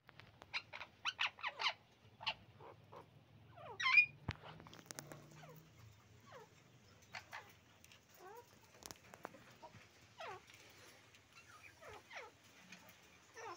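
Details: A breeding pair of Sun conures, ready for the 2024/2025 breeding season, gives harsh, shrill screeches in quick bursts, scattered irregularly through the recording.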